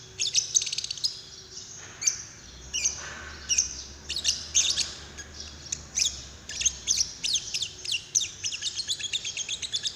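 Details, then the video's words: Paud-style lovebird call used to coax another lovebird into song; dense, shrill squeaky chirps running almost continuously, briefly thinning mid-way, with a faint low hum underneath. "Pancingan love bird paud"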